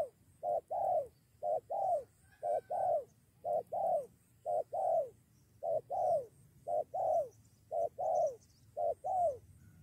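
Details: Spotted doves at a decoy trapping site, with lured birds ready to fight and almost a two-against-one clash. Mellow mid-pitched coos come in paired notes, roughly one a second, steady and unhurried, over a quiet low hum.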